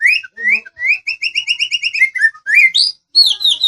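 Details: Medan white-rumped shama training song for other birds to answer: a long string of about a dozen quick, bright, slurred whistles, then descending notes and high sweeping phrases.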